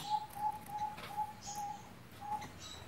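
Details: Pet zebra dove kept in a cage and fussed over by its keeper, giving a run of six short, clear, level whistled coos about every 0.4 seconds, fairly soft, with faint clicks and room noise behind.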